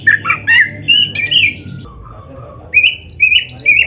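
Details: Oriental magpie-robin in lively song, played to stir other magpie-robins into singing: varied whistled and squawky phrases, short bursts then a pause and a run of repeated rising notes, with low background hum.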